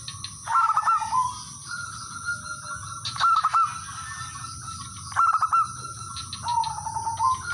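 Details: Local male zebra dove calling to rivals as a lure, giving a soft, low, even coo with short trilled notes, repeated about every two seconds, while small birds chirp sharply in the background.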